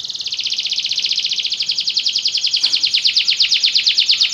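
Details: Belgian canary producing a sustained, fast, rolling trill of high buzzy pulses, steady in pitch and growing louder and more clearly spaced over four seconds.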